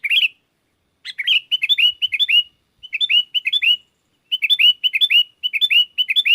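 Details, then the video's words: Sooty-headed bulbul call used to bring in wild bulbuls, which respond; clustered bursts of quick, hooked chirps, each group of several notes, spaced by brief silences. "Suara Burung kutilang gacor memanggil kutilang liar"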